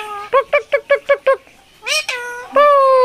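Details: Talking parrot at a Friday bird market in Mirpur 1, Dhaka, Bangladesh, uttering six quick clipped meow-like syllables, a brief pause, then two longer nasal calls, the last held steady.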